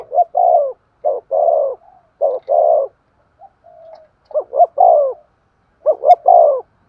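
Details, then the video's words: Spotted dove used as a decoy, calling 'thúc gù' with a sharp voice: clipped opening notes then a longer falling coo, repeated in phrases about two seconds apart, with quiet gaps. "Tiếng chim cu mồi thúc gù// giọng bén bổi"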